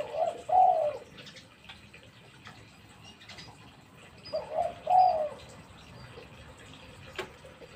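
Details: Tame spotted dove calling: two separate short phrases of hoarse, throaty coos about four seconds apart. Each phrase is a quick two-part rolling coo. Steady background hiss runs throughout, with a sharp click near the end.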